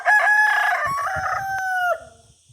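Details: Rooster crowing: a loud, drawn-out cock-a-doodle-doo that starts with choppy notes, then holds a long, slightly falling tone before stopping abruptly, with soft clucking-like low sounds beneath.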